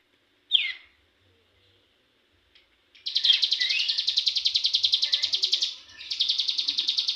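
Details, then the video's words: Young cigun, a caged songbird, learning its rapid song: one sharp call, a pause, then long runs of fast, buzzy high-pitched notes repeated about three per second, briefly broken and resumed. "cigun muda belajar ngebrem ak47"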